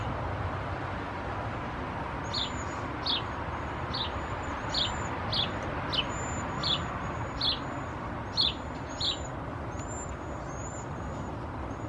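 Cedar waxwings give very high, thin, lisping whistles, repeated every second or so over steady traffic rumble.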